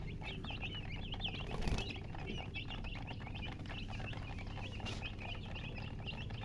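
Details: Chicks just out of the egg chirp insistently, shrill descending peeps tumbling in quick overlapping series, with a brief rustle or flutter near the two-second mark and low background drone.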